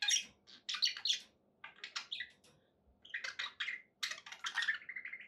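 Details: Happy pet budgies giving clusters of bright chirps and harsh squawks in separated bursts, a short buzzy trill near the end, with faint low background hum.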